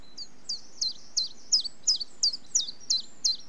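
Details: Common chiffchaff giving about nine loud, high notes in quick even succession, each note sliding downward, with faint rustling background.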